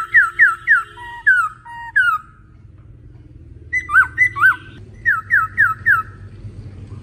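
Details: A male laughingthrush sings loud, clear whistles that slur down and up, in quick runs of three or four notes, with a low indoor hum beneath.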